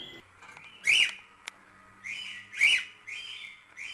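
A cockatiel gives bright, rising whistled phrases, two loud swooping notes about 1.7 seconds apart, with softer warbled whistles between them.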